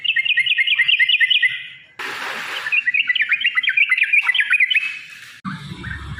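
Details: Yellow-vented bulbul (trucukan) long rapid fighting song used as a lure: an even run of chirped notes, a noisy gap, then a faster series of bubbly, rising-falling notes.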